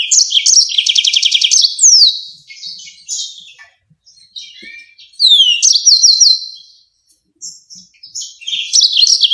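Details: Yellow-fronted canary, in the sharp rolling 'ngerol nembak tajam' style used to teach songbirds, opening with a fast buzzy trill, then scattered rising whistles and twitters separated by short silences before another burst.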